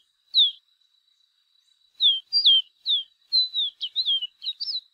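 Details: Chestnut seedeater song: a lone whistled note, a pause, then a rapid run of clear whistled notes sliding down, some with sharp upward flicks, delivered about two per second; a faint steady high tone runs throughout.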